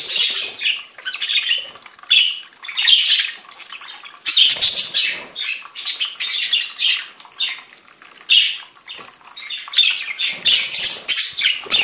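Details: Several budgerigars chattering: a long run of scratchy warbled phrases and squeaky chirps, irregular and overlapping, with some soft rustling or fluttering beneath.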